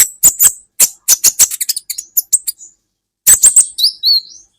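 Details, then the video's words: Olive-backed sunbird heard on a songbird training recording: a series of loud, sharp, very high chips that speeds into a stuttering twitter. After a silence, more chips end in a thin descending whistle. "Masteran buat KOLIBRI Ninja Bahan Agar BUNYI"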